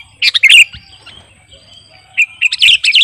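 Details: Sooty-headed bulbul, known as kutilang garuda, singing for use as a master or lure recording. A burst of bright chirps is followed by a near-silent pause, then another rapid cluster of loud twittering notes.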